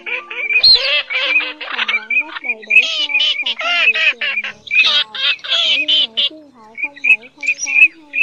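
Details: Pheasant-tailed jacana, male and female, calls used as a night-time net-trapping lure for migrating birds in August: dense overlapping nasal wavering mews with sliding harmonics, mixed with bursts of harsh squawks and short high chirps.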